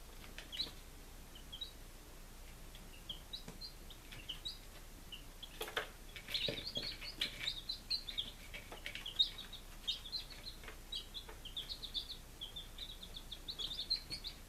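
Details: Baby chickens on their fifth day, Lunenburg, Massachusetts, 23 July 2017, start with scattered peeps that swell into a dense, continuous chorus of high chirping from several chicks, with a few knocks.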